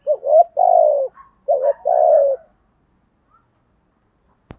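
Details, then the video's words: Decoy spotted dove with a thổ-style voice. Gives two quick phrases, each a short wavering coo leading into a longer falling note. A faint click follows near the end. "Chim Cu Mồi, cu gay kich boi nhanh noi"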